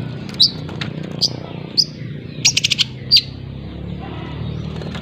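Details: Young long-tailed shrike from Lampung learning to sing, used as a lure sound: short, sharp high chirps and brief twittery bursts, irregularly spaced about every half second to second, over a low steady background hum.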